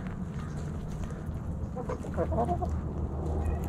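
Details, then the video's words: Backyard hens and roosters snacking on Thanksgiving, a chorus of short clucks and murmurs over a steady low rumble. "Backyard Chickens Thanksgiving Snacking Sounds Noises Hens Clucking Roosters Crowing!"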